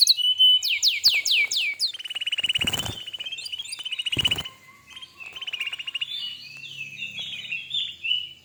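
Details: Canary in full song, recorded as a tutor and prompt for young or silent canaries: quick descending whistles, then steady buzzy trills and warbled phrases, broken twice by sharp loud knocking bangs.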